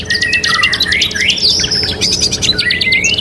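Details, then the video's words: Training master recording of a singing canary (kenari gacor): dense high trills overlaid with long gliding whistles that rise and fall, the song unbroken from start to finish. "MASTERAN 3 IN 1 KENARI GACOR | CANARY SINGING"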